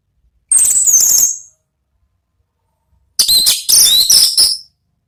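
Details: Ngeplong song of an Orange-headed thrush, meant to draw other birds in: a short, very high, sharp warbled phrase, then after a gap a longer burst of piercing, varied high notes broken into quick pulses.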